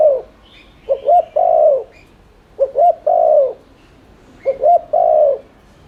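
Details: Spotted dove cooing in 'thúc liên thanh' style as a lure to stimulate other doves. Three steady phrases, each two quick rising notes and a long, falling coo, spaced about every 1.8 seconds, faint high twitters behind.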